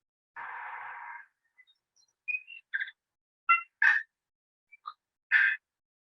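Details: Standard tui song, with a touch of bellbird-like call; tui have two voice boxes and run their notes together. A long rasping wheeze, then clicks, pure bell-like notes and short chattering bursts over about five seconds.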